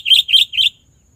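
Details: Sooty-headed bulbul, used as a bird-trapping lure sound: three bright, slightly buzzy chirped notes in quick even succession, each about a fifth of a second, followed by silence; clean recording with no other sounds.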